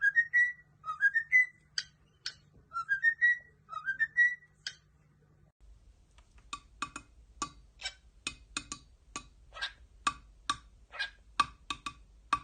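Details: Cockatiels singing and dancing indoors: clear whistled phrases of rising, sliding notes repeated twice over a low steady hum, then the whistling stops and sharp dry clicks and taps follow irregularly to the end.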